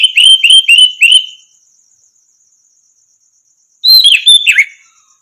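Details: Orange-headed thrush training song: four repeated, slurred whistles, then a pause before a varied phrase of twisting, downward-sliding notes. A constant faint high-pitched buzz runs underneath.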